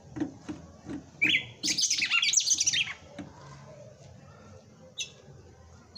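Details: Caged red-cowled cardinal singing on Christmas Day in Brazil, a bird-keeper's bird in 'batendo fogo' style: soft clicks lead into a loud, dense burst of rapid high chirped and whistled notes lasting about two seconds, then quiet.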